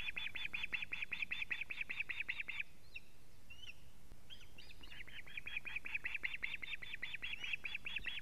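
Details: An osprey at a Latvian live-camera nest alarm calls on 19 July 2017, 19:43, when the male brings a living fish. A long, steady run of shrill repeated whistles, a short pause with soft notes, then another long run.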